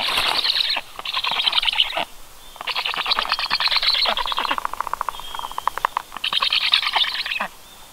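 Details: Nestling black storks beg as a parent arrives to feed them, 21 July, 18:36. Hoarse, raspy bursts about a second long come in quick pulses and stop and restart several times, with short quieter gaps between them.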